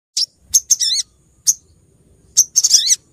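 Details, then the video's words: Female sunbird (sogok ontong) calling the male, used as a lure sound, from Pronojiwo, Lumajang: very high, thin chirps and short twittering bursts in two clusters, with quiet gaps between. "suara pikat sogok ontong betina memangil jantan"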